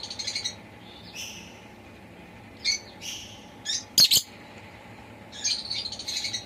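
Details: A pet lovebird gives shrill, high chirps in scattered bursts, with a loud sharp double chirp midway and a busier chattering run at the end, over a faint steady hum.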